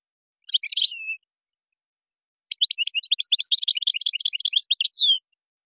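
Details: European goldfinch singing Moroccan-style song with gazrat and srrr bertbertio phrases: a short twittery burst, a pause, then a long run of rapid, sharp, high chirping notes ending in a downslurred note, against total silence.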